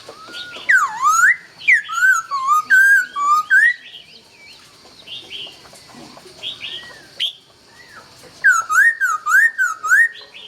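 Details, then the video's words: Laughingthrush dawn song, rich and varied: loud swooping whistles, a mid-song pause of softer notes, then a fast string of bouncing, wavy whistled notes. "Nghe Tiếng Chim Khướu Hót Cực Hay"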